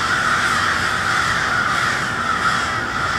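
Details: Many crows calling together at cold twilight in Westport, Kansas City, their harsh caws merging into one continuous, even roar with no clear gaps between individual calls.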